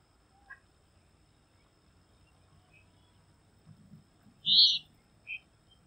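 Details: Bengal bush lark (Mirafra assamica) calling: a few sparse, high chipping notes, the loudest a sharp squeaky note near the end, over a faint low background hum.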